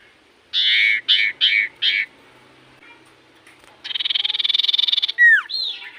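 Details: Common iora in full voice, a song said to make other ioras answer: four harsh, broad chattering notes, a pause, a long fast buzzy trill, then a falling whistled slur followed by a short upward note.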